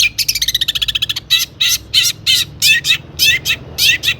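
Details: Long-tailed shrike song rich in imitations, meant to provoke other shrikes: a quick rattling trill of clipped notes, then evenly spaced harsh, downslurred chack calls about every third of a second.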